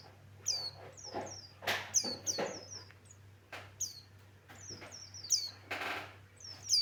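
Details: Buxton's white-eye male in full, varied song: rapid high descending whistles strung in short runs, interrupted by loud broadband clatters and knocks, with a faint steady hum underneath.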